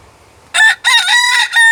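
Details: North Holland Blue rooster crowing: after a moment of near-quiet, a loud, harsh, richly harmonic crow in two parts, a short opening burst then a longer sustained phrase that holds steady before cutting off.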